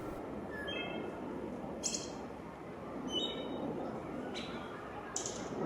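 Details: Wood Thrush singing during spring migration in Brooklyn, New York City (Green-Wood Cemetery and Prospect Park): short flute-like phrases, each ending in a high, shimmering trill, about every three seconds over a steady rumble of city noise.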